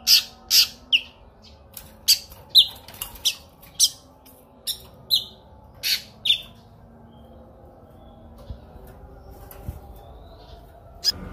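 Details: Kinoi songbird, recorded as training song for other songbirds, giving a run of sharp, high chirps about every half second for six seconds, then falling almost silent apart from a few faint notes and a low hum.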